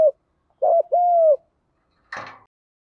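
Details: Spotted dove, 'thúc gù' field-voice cooing of males and females used to stimulate decoy birds, gives a brief low coo, then a double note running into a long steady falling coo, followed by a short rustling noise.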